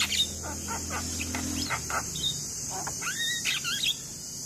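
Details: Singing black-winged myna, recorded as a master to encourage young mynas to sing: scratchy rasps give way to curving, rising and falling whistles, over a low hum and persistent high background hiss.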